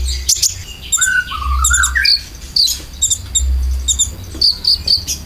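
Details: Konin lure song with filler, used to draw out caged birds: a wavering whistled phrase stepping downward, then high short chirps, with clicks and a low droning background.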